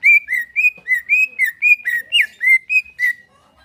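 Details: Relaxed greater green leafbird song meant to make a caged bird sing: a lively series of about a dozen whistled notes, alternating rising and falling slurs at a quick, slightly uneven pace.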